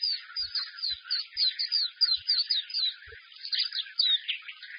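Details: Caged white-eye singing boldly in a held cage: repeated bright downslurred whistles over rapid twittering, several phrases in quick succession, with a few faint low thumps.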